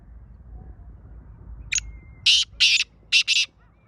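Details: Kala teetar, the black francolin, calling: one thin, sharp introductory note, then four loud, harsh, rasping bursts in quick uneven rhythm, the last two closely paired. Low steady hum in the background.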